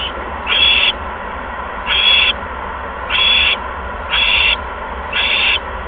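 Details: Owl bringing a second mouse to the nest, night of 16 February 2015 at 8:38 PM; five rasping high screeches spaced about a second apart, with a steady low hum throughout.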